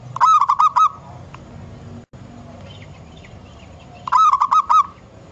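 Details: Wild local zebra dove heard as a lure sound, two phrases of quick stuttering clear notes about four seconds apart, with soft higher twitters from other birds faintly in the gap.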